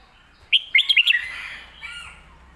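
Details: Red-whiskered bulbul performing a 'lak wai' or 'mae bot' style song. A sharp opening note is followed by four rapid chirpy whistles, then a softer trailing warble.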